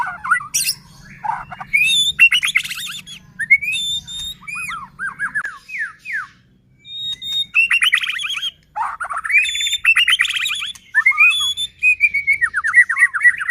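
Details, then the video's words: Caged white-rumped shama in full song, used to provoke other shamas into singing: loud, varied phrases of rich whistles, fast descending trills and harsh chatters, with pauses between bursts and a low hum early on. "Murai batu gacor AMPUH buat PANCINGAN murai batu agar bunyi JADIKAN burung murai EMOSI"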